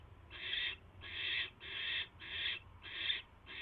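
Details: Rough, shushing screeches from a barn owl at the nest around 10:22 PM on 22 January 2016, as a mouse arrives: six raspy bursts at slightly uneven spacing, with steady low background noise.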